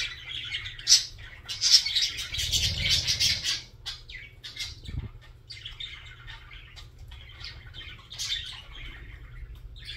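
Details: Budgerigar singing a loud burst of buzzy, scratchy chatter for the first few seconds, then quieter intermittent twitters and clicks, with a low hum and a brief thump midway.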